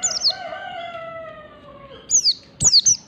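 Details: Oriental white-eye of the standard wild-forest 'ngalas' type, used as a lure to set other white-eyes singing: thin, very high chirps sliding downward in quick bursts at the start and end, with a rooster crowing long and steady in between.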